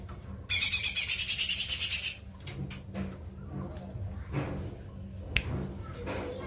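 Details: Cucak ijo mini, the lesser green leafbird, sings a loud, rapid, high, buzzing trill lasting about one and a half seconds, then soft clicks and a single sharp tap.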